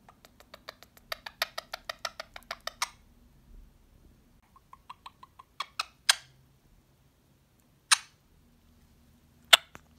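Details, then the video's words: Male pet Indian ringneck parakeet giving kisses to himself, kissing his own feet and wing indoors: a quick run of sharp smacking clicks for about three seconds, then scattered single louder smacks with pauses between them. "Cute talking parrot loves to give kisses to himself"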